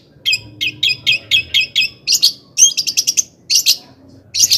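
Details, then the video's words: An agitated long-tailed shrike delivers a sequence of separate sharp downslurred chirps, then a tight stuttering burst of clicks and louder squeaky notes; the song serves to provoke other shrikes. "Kicauan cendet gacor FULL EMOSI AMPUH Di jadikan PANCINGAN CENDET AGAR CEPAT GACOR DAN NAIK EMOSI"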